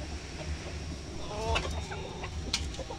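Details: Hungry farm chickens and hens rushing to the feeding area in the morning sun; one short harmonic cluck rises above a steady hum and scattered pecking and rustling noises.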